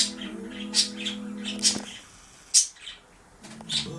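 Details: Two pet budgerigars chatter in bright, scratchy chirps and short warbled bursts, with a low steady hum behind; recorded 11 March 2023 around 14:27.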